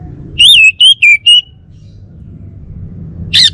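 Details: Loud whistled phrase of four wavering notes from a male orange-headed thrush of Bali, followed after a pause by one sharp, high chip, over a low hum.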